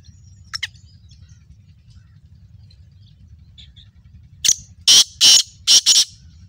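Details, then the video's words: Black francolin (kala teetar) calling: a faint brief note, then after a pause a loud run of four harsh, grating, buzzy bursts in quick succession, each about a third of a second long, over low background hum. "kala teetar ki awaz 2021 ایک تیتر کی الگ الگ آواز نکالنا"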